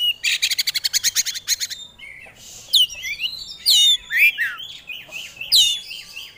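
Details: Oriental magpie-robin (kacer), a caged songbird kept for singing contests, opens with a rapid series of repeated high notes, then swoops into sweet, downward-slurred whistles and scratchy twitters.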